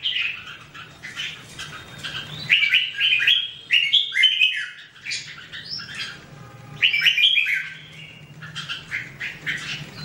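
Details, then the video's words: Song of a red-whiskered bulbul, a run of bright, bubbly whistled notes in quick clusters, then a pause and another loud phrase, with fainter chirps in between. "The Sound Of The Birds Singing Wonderful: Birds Red-whiskered bulbul"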